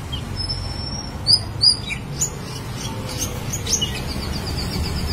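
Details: Black-winged starling in loud, melodious, actively singing form: clear high whistles, some flat and some sliding, mixed with quick sharp chirps and a rapid trill near the end, over a constant low background hum.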